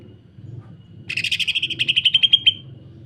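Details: After a quiet start, a greater green leafbird bursts into its dense, coarse machine-gun song, meant as a tutor and lure for other leafbirds: fast grating pulses over about one and a half seconds, ending in sharper whistled notes.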